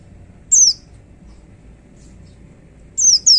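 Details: White-eye giving sparse song: a single clear, high, downward-slurred whistle, nearly two seconds of quiet, then two more similar descending whistles in quick succession.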